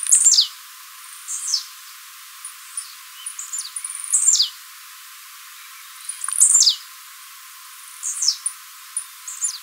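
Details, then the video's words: Live recording of a Blue-black Grassquit in Tiziu Mateiro song, intended for training. Repeated sharp, buzzy phrases drop from very high to mid pitch every few seconds, with scattered fine ticks in between. "TIZIU MATEIRO CANTANDO PARA TREINAMENTO DE FIBRA"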